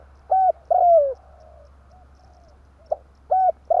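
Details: Spotted dove used as a lure for trapping birds, in the tarik akar call style: low mellow hollow coos, a short coo and a longer coo sliding downward, then faint softer coos and two more short coos near the end.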